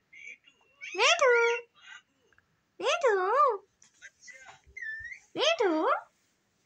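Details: Green ringneck parrot imitating human words like papa and mummy: three loud, nasal, wavering syllables with rising and dipping pitch, spaced about two seconds apart, with soft chirps and a brief whistle in the gaps.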